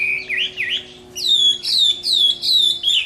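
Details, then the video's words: Chinese hwamei in fighting song at summer midday: a few low looping whistles, a short pause, then high, bright downslurred notes repeated about every half second. "HỌA MI CHIẾN HÓT TRƯA HÈ"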